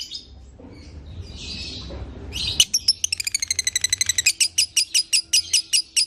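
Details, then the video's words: Lovebird song to get a lovebird singing again: soft hissy notes, then a sudden burst into a rapid chattering trill that slows into regularly spaced sharp chirps. "Putar Suara ini agar LB anda akan kembali Bunyi"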